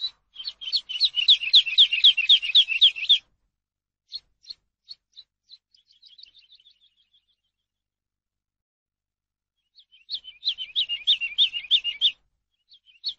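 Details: Eurasian skylark song meant for teaching captive birds: fast bursts of high, rippling trilled notes lasting about three seconds, then scattered single chirps and a soft descending series, another dense trilled burst after a pause.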